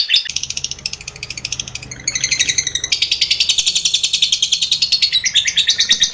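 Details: Lovebird trilling song in the ngekek style, played to train other birds: high, harsh chattering notes in quick succession, briefly softer mid-way, then a louder, steady run of rapid pulses over a faint low hum.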